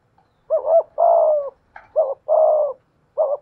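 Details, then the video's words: Captive decoy spotted dove, 'thổ pha thúc' voice style, cooing in a duel with a wild dove: two phrases of a quick wavering note then a drawn-out steady coo, plus a final short note. "cu gáy giọng thổ pha thúc GÙ đấu với bổi, tiếng gáy bổi nghe rất ghét và gáy theo hiệu quả"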